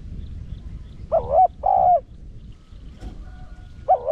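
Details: Spotted dove urging coos in the Rặc Đồng voice style, meant to stir decoys and draw in wild doves: one deep two-note coo, a wavering note then a drawn-out even note, with the next coo starting at the end.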